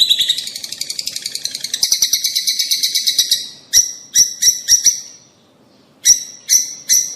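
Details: Rosy-faced and Fischer's lovebirds calling to stimulate mating: a steady fast chatter of buzzy high notes for over three seconds, then single piercing chirps spaced about half a second apart.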